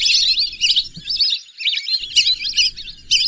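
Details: Rapid, high whistled twitters from whistling ducks, in short bursts roughly every second, overlapping and squeaky, with a momentary quieter gap midway.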